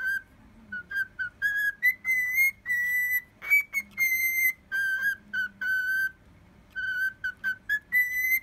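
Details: A cockatiel whistles a learned tune, possibly a horse-racing fanfare, in clear, pure notes, short phrases stepping between two pitches in a fanfare-like rhythm, with brief pauses between phrases.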